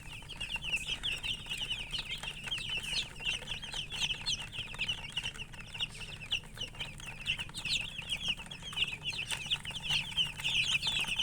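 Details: Colour chickens alongside a hen give a steady stream of shrill, rapid chirps, many small voices overlapping into a busy, unbroken chatter, with brief louder peeps standing out now and then.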